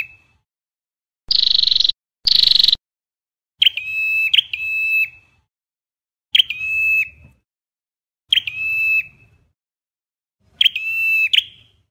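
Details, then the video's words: Ashy Tailorbird (Orthotomus ruficeps) singing in Vietnam: short, high, sharp phrases of a few ringing notes repeated every two seconds or so, after two brief bursts of hissing noise. "Tiếng chim Sâu đầu đỏ ✅Red-headed Tailorbird (AshyTailorbird )"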